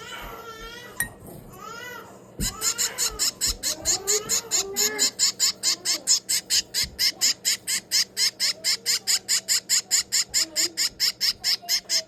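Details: A 22-day-old finch chick being hand-fed starts with a few scattered notes and soft human talk, then breaks into a long, steady stream of piercing, raspy begging chirps, roughly two or three per second.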